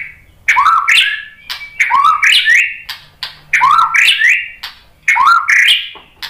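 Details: White-rumped shama song used as a lure to provoke other shamas into singing: loud, rich phrases of slurred, rising whistles and sharp chips, delivered in bursts about every one and a half seconds with short gaps between.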